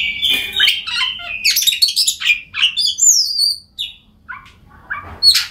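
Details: Oriental magpie-robin song aimed at getting silent birds to sing: a sustained whistle with chatter, then sliding high whistled notes, fading into sparse short calls.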